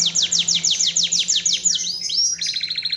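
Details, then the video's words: Lively canary song from a songbird training recording: a quick run of about a dozen repeated downslurred chips, then rising whistled notes and a fast, buzzy trill. "Masteran asli kicauan burung kenari gacor full paling indah dan merdu"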